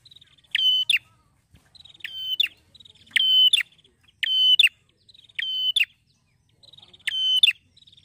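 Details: Happy male Bar-winged Prinia sings ngeplonk-style: a steady run of six bright, harmonic, trilled bursts, each ending with a snapping note, with quiet chipping notes in the gaps.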